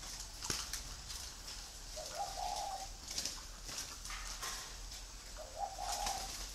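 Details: Two low, rolling coo phrases from free-range breeding spotted doves at a Vietnamese bird farm in Ba Vì, separated by a few seconds of hissy background with light ticking.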